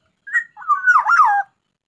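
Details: A contest-ready black-naped oriole singing actively. A brief opening note leads into a rich, mellow, warbling whistle that twists up and down and then falls away, in a quiet setting.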